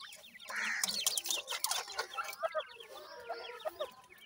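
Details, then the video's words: Francolin chicks peeping in a busy chorus: many short, rising and falling chirps overlap, with a louder blurred burst of calling near the start and scattered clicks and knocks throughout. "irani teetar chicks ki best awaaz,Dakhni pheasant chicks"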